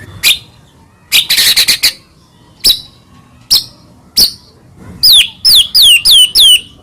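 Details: Lure song of a white-rumped shama for the morning: scattered sharp clicks and a brief crackling burst, then a run of five clear, high whistles that slide steeply downward.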